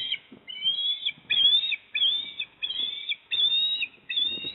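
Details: Male osprey bringing a fish to the female at a nest in Port Lincoln, South Australia, 28 September 2024. Sharp, slightly upslurred whistled cries repeat roughly every half second in a steady insistent series.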